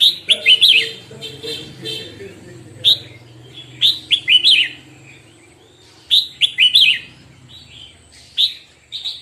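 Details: Red-whiskered bulbul in morning singing practice, repeated clusters of clear whistled notes, bright and slurred, delivered in bursts every few seconds over a soft low hum.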